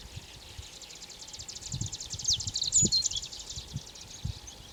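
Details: Japanese reed bunting (Ochre-rumped bunting) singing in late June in Aomori, Japan: a brief, delicate high phrase of thin, quick notes midway through, over a steady buzzy hiss with low wind thumps.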